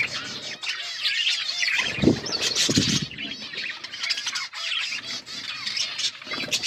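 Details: Numerous budgies chirping and squawking at once, a steady bright warbling chatter broken by a couple of loud low thumps or flutters near the middle.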